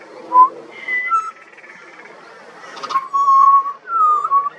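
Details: Juvenile pied butcherbird, an Australian songbird, singing: clear fluted whistles, one pure note followed by level and gently falling phrases with short pauses and a faint rustle between them.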